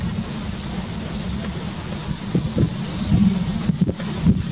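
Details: Steady low engine rumble with wind buffeting the microphone and a few soft knocks, with no animal voice standing out.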